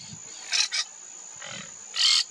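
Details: Monk parakeet in wetlands of the Maldonado river estuary, Uruguay, February 2024, giving harsh, raspy squawks: two quick screeches, a fainter one, then a louder drawn-out screech, over a steady high hiss.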